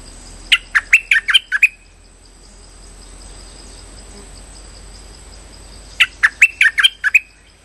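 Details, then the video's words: Streak-eared bulbul calling as a trapping lure: two lively bursts of about eight staccato chirps, six seconds apart, with a low hiss and hum between them. "Suara pikat merbah lekir gacor"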